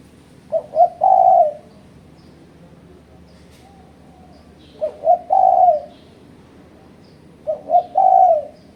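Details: Rival-challenging spotted dove call used for bird trapping: a clear, mellow two-short, one-long coo repeated every four or so seconds, the background otherwise quiet apart from faint distant chirps.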